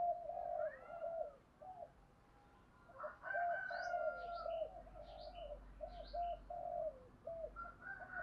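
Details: Decoy spotted dove cooing in the morning to gather its flock, chiêu một hậu style; steady low, rounded coos repeat in runs over background hiss, with thin high chirps of other birds scattered above.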